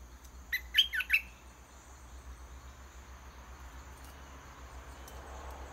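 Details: Red-whiskered bulbul in a decoy cage singing to lure a wild bird into a fight. It opens with one phrase of four bright, warbling whistles, followed by several seconds of low background hiss and faint ticks.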